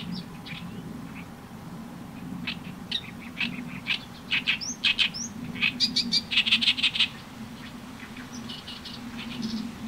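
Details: Harsh, throaty song of an Oriental reed warbler, recorded with a camera and external microphone: scattered rasping notes build into loud rapid chattering bursts around the middle, combining repeated stock phrases, then trail off into softer notes.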